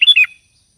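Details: Sooty-headed bulbul calling to companions: one short bubbly phrase of two or three quick liquid notes, mid-high and slightly falling, then silence.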